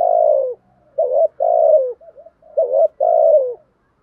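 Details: Spotted dove giving repeated loud coos to prompt a newly caught bird to coo. Long falling notes alternate with shorter wavering ones, with brief soft murmurs in between, at about one phrase every second and a half.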